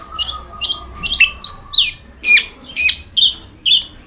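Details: Long-tailed shrike song used as tutor audio for reluctant singers: separate downslurred, squeaky whistled notes, roughly two per second, with a faint steady tone behind the first half.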